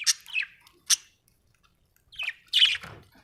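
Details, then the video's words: Happy budgerigar singing: scattered short chirps and harsh squawky notes at high pitch, separated by a quiet gap in the middle, with a low rumble near the end. "Happy budgie chirping sound 🥰 budgie singing sound 😍"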